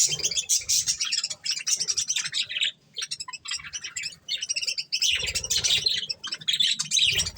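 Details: Budgies feeding on corn chatter continuously: busy, high twittering and buzzy chirps overlap from several birds, dipping briefly near three and five seconds, with faint low knocks.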